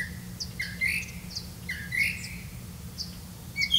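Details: Black-bellied malkoha at the nest with its young: soft rising chirps and slurred squeaks in small groups, separated by short gaps, over a steady low hum.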